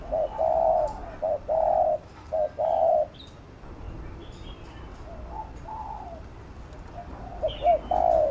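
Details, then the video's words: Spotted dove cooing to urge on and train a caged bird: low, hollow coo phrases of short clipped notes followed by longer drawn-out coos, repeated several times, the last phrases softer, with faint high chirps of other birds behind. "Cu Gáy THÚC GÙ Siết Bổi Đẳng Cấp/ Kích Mồi Tập Bổi Căng Đét"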